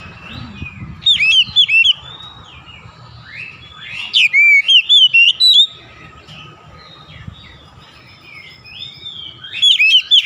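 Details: Oriental magpie-robin singing in a sequence of whistled, slurred notes that rise and fall, delivered in three separate bursts with quiet pauses between them.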